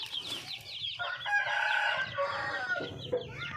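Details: Wild red junglefowl hen calling for a mate: a loud, rough, drawn-out harmonic call dominates after brief high chirping from other birds, ending in a few shorter notes, with a low hum beneath.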